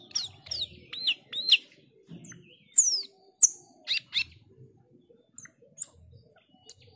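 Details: Male black-winged starling delivers clear, upslurred whistled notes in pairs, then sharp descending whistles and isolated high squeaks separated by short pauses.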